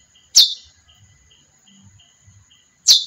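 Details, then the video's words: Female chestnut-bellied seed finch giving two sharp, bright chips that fall steeply in pitch, about two and a half seconds apart, with a faint high hum between. "Canto Curió fêmea."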